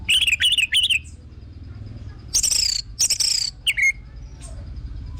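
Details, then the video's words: Orange-headed thrush song meant to set other birds singing: three warbled mid-pitched phrases, a quiet gap, then dense high buzzy notes and a short dropping whistle. "BAGUS UNTUK PANCINGAN BURUNG ANIS MERAH BIAR TELER DAN GACOR"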